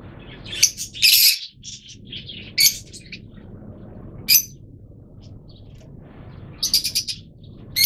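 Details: Shrill, scratchy chirps from yellow Fischer's lovebirds come in short separated bursts, with quiet gaps and a faint low rumble between calls.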